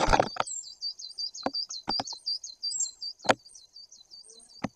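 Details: In Bory Tucholskie, Poland, on 2 September 2022, a great tit near the camera gives a continuous chain of quick, high, curled notes, with several sharp knocks and taps throughout.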